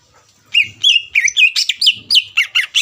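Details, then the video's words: Vigorous greater green leafbird song meant to goad a rival bird into calling: a quick, steady series of looping, slurred whistles, roughly four per second, each bright and clear. "CUCAK IJO GACOR MEMANCING EMOSI LAWAN AGAR LANGSUNG BUNYI"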